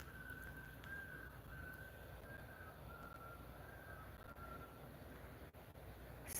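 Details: Common loons on a lake at night, heard from a lakeside campsite at some distance, give a long, steady, mournful wail that drifts slightly in pitch for several seconds over a low rumble of wind.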